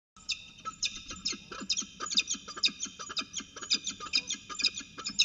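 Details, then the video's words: Peregrine falcons chatting during a ritual dance at Orange CSU, New South Wales, 19 February 2020: rapid run of harsh, scratchy, high notes, several per second, fairly even in loudness throughout. "Peregrine Falcons Orange CSU NSW, Chatting and Ritual Dance"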